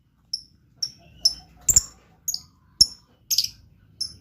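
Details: Blue lovebird chirping actively, giving short, sharp, high-pitched chirps spaced about half a second apart, some doubled, over a quiet background.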